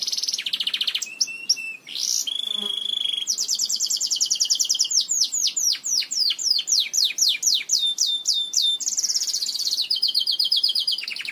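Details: Belgian canary singing, a recording meant to teach other canaries to sing: loud, varied high song with whistled notes, a long rapid rolling trill, then a series of descending swept notes at about four per second and a closing buzzy roll.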